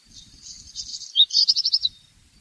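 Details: A black redstart's strophe opens with a soft hissing crackle, then breaks into a bright series of six rapid rattled notes, high and metallic, lasting under two seconds.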